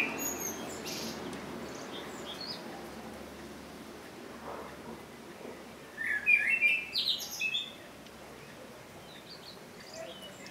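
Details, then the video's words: A single short phrase of blackbird song rises out of quiet surroundings midway through: a quick cluster of bright whistled notes lasting under two seconds, with faint background hiss before and after. "Blackbird song - Turdus merula - შავი შაშვი"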